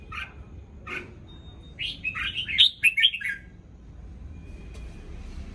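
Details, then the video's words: Red-whiskered bulbul that has just moulted, singing in the morning: two short chirps, then a tumbling phrase of bright warbled notes lasting about a second and a half, then quiet. "Chào mào lông ống mới chào buổi sáng cả nhà"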